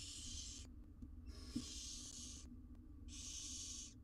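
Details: Four wild barn owl nestlings in a research nest box in Israel, huddling while their mother is away: three long, harsh hissing bursts, each under a second, separated by short pauses, over a low steady hum.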